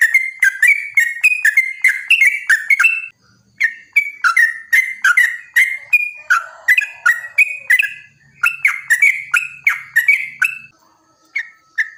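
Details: Yellow-vented bulbul's long 'ropel panjang' song, used as bait for other bulbuls. Three bursts of quick whistled notes that bounce between pitches, separated by short silences. The song ends in a few sparse notes.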